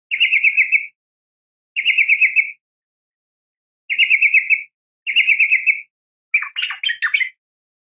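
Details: Female yellow-vented bulbul calling the male: four even, rapid buzzy trills under a second long each, separated by pauses, then a rougher jumbled chatter.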